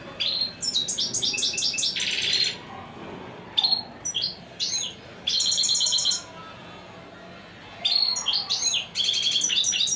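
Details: European goldfinch, hailed as an unbeatable 'royal' bird, singing bursts of rapid twittering and tinkling notes, separated by short silences, with one buzzy, scratchy stretch mixed into the bright, high chatter.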